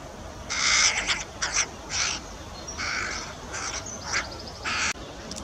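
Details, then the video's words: Carrion crow young noisily begging a parent for food on Buck Hill; a run of rough, grating squawks of varying length, some short and clipped, others drawn out, against constant broadband background noise. "Carrion Crow feeding young"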